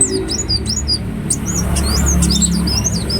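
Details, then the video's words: Shrill, rapid twittering of a ruby-cheeked sunbird, short sweeping high chirps that run together into a wavering trill, set against steady low background rumble. "Kolibri Wulung Gacor Latah Gampang Bunyi"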